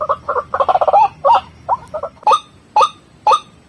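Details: White-breasted waterhen lure calls: a quick stuttering run of harsh notes, then single loud upslurred calls spaced roughly half a second apart.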